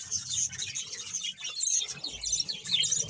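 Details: Budgerigar colony of about one hundred birds in Bahawalpur, Pakistan, kept in captivity; dense overlapping chirps and warbles high in pitch form a continuous chattering wash, with brief quieter gaps.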